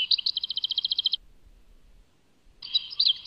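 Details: European goldfinch from Tadmait, Algeria: a rhythmic series of about a dozen quick repeated chirps, then a pause and a brief scratchy twitter at the end.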